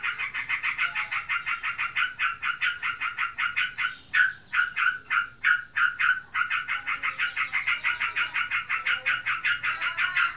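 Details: Kept sooty-headed bulbul said to be in breeding condition, chattering without pause in fast raspy notes, about three a second; the notes slow and grow louder midway, then speed up again.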